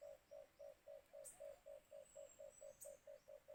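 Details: White-eared brown dove used with a cage trap in bird hunting gives a steady run of short, low hooting notes, about four per second; faint high chirps from other birds come in twice.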